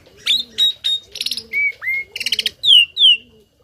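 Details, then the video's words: Tame starling singing learned song material as a tutor for other birds: three clear repeated whistles, a buzzy note, two rising whistles, a rapid chattering burst, then two falling slurred whistles. "Burung Jalak Jinak Isian Nembak || Cocok untuk masteran burung lain langsung nyaut"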